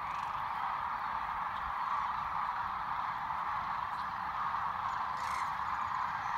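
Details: Migrating sandhill cranes massed on the Platte River in Nebraska, March 2017, heard as a clean, steady chorus of countless overlapping mid-pitched calls with little background noise.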